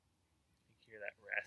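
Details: A bird thought to be a nuthatch gives two nasal, raspy notes about a third of a second apart over a quiet background; two sets of such raspy calls come from the southwest and northwest.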